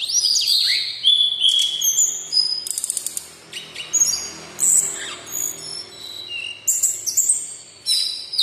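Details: Captive brown-chested jungle flycatcher of local stock sings a busy medley of high whistles, slurred notes and rattling stutters, roughly two to three notes each second, with brief pauses between phrases.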